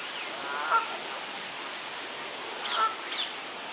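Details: Canada goose family on the Serpentine, five goslings with two sets of parents, rushing around and diving: a few short, nasal honks, one near the start and a quick pair later, over steady background hiss.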